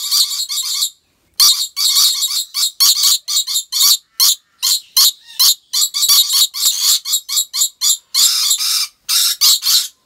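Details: Captive rainbow lorikeets at a wildlife park in Aceh Besar, Indonesia, giving a fast, nearly continuous run of harsh, rasping screeches, several per second, broken by a brief pause near the start.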